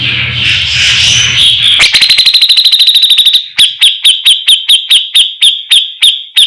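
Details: Javan-type grey-cheeked bulbul training recording: after a blurred noisy start, a rapid buzzing run of ringing notes gives way to slower, evenly spaced sharp whistled notes with a high tinkling overtone, about two per second.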